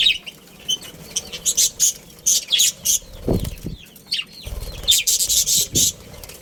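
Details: Budgerigars in a family group give short, high, scratchy chirps in quick bursts, some with small rising and falling whistled notes, mixed with fluttering wings and a few low thumps.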